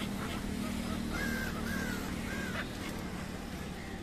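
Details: Migratory black-headed gulls (Chroicocephalus ridibundus) wintering in India give three drawn-out, slightly nasal cries, each under half a second, over a steady low rumble like distant traffic.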